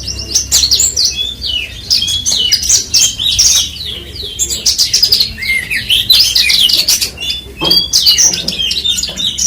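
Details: Horsfield's bush lark (branjangan) with a continuous jumble of sharp high chirps, rising and falling whistles and rapid trills in uneven bursts.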